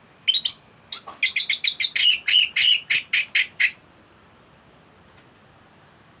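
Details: Thrush song used as a master recording to tutor birds: a rapid series of sharp, bright chirps repeated several times a second for about three seconds, then a faint high whistle over quiet background hiss.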